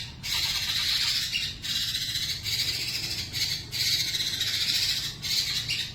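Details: Murai batu (white-rumped shama) in nonstop, phrase-packed fighting song meant as a lure for other songbirds; bright, high, rapid chattering and whistled runs come in bursts with brief dips between them.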